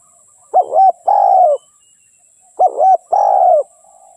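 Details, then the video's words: Spotted dove singing: two phrases about two seconds apart, each a short wavering double coo followed by a longer, steady, mellow coo that dips slightly at the end, over a faint steady high hiss. "เสียงนกเขาใหญ่/suara burung tekukur"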